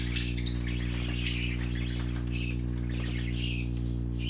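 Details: Young colorful parakeets playing make quick bursts of harsh, high squeaky chirps, clustered then pausing, with a constant low droning hum underneath.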